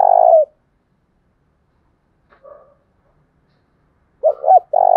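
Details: Spotted dove calling as a lure to draw in wild doves, 'thổ đồng' voice: a drawn-out low coo, a faint soft murmur, then two quick rising hoots leading into another long coo.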